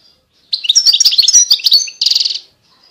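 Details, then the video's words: European goldfinch in 2020 delivering a lively, high-pitched twittering phrase of quick liquid notes that ends in a short, dry, buzzy trill. "Chant De Chardonneret"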